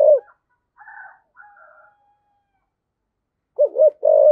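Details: Spotted dove of the thổ singing style, used to stimulate wild doves: one low coo, faint higher chirps in the gap, then a doubled coo and a long steady coo at the end.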